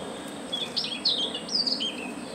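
A Siberian rubythroat gives a quick run of high, thin, scratchy notes that flick up and down, over a steady high hiss.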